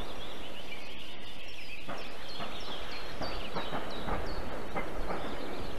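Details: Osprey at a nest in Võrumaa, South Estonia, in 2022, near a military base, fish farm and river; a run of short, sharp, high descending whistled notes repeated about twice a second over steady low rumbling background noise.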